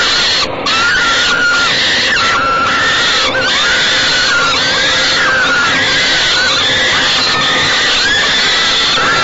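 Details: Evening feeding of falcon chicks by the mother in a nest box at Great Spirit Bluff, 28 May 2013; long series of grating, slightly wavering squeals, several birds calling at once with scarcely any quiet.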